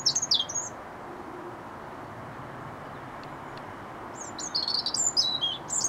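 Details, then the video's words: European robin singing at RSPB Rainham Marshes on 8 October 2016: high, thin, liquid warbled phrases, a short burst, a pause of several seconds, then a longer tumbling phrase, over a steady low rushing background. "Robin Singing"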